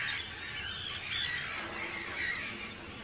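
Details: Arctic terns at a busy breeding colony, Rottumerplaat, Groningen, Netherlands, 4 June 2023; loud grating squawks and thin high squeals overlap, several calls in three seconds against the colony's constant clamour.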